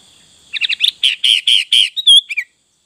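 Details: Sooty-headed bulbul song, a full song: a quick run of bright chirpy notes, then several repeated burry phrases and a clear whistled note, ending in a short falling slur.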